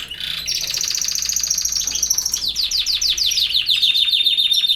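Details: European goldfinch song, campero style: a dry buzzy trill gives way to a rapid series of repeated, slurred chip notes delivered at an even, rattling pace.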